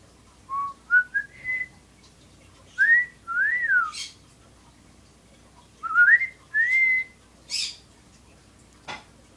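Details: Pet female bird whistling as she sits: whistles rise in stepped, upward-slurred notes, then an arched up-and-down note. A similar rising phrase repeats after a pause, mixed with brief hissy bursts and a final sharp click.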